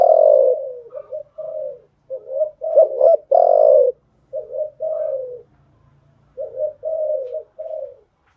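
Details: Cooing of a decoy spotted dove, used to train freshly caught birds: an almost continuous string of low, hoarse coo phrases separated by brief gaps over about eight seconds.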